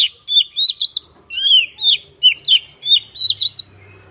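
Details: White-rumped shama (kacer), a caged songbird in a gacor singing display with varied mimicked phrases, giving loud, clear whistled notes that slur up and down, in quick bursts of rich, varied phrases with short gaps.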